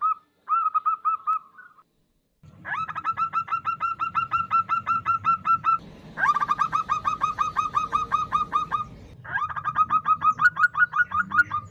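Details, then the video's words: Local female zebra dove calling a male, a lure recording: several long runs of rapid, evenly repeated clipped cooing notes, loud and steady, broken by brief pauses, over a low background hum. "Suara Perkutut Betina Memanggil jantan"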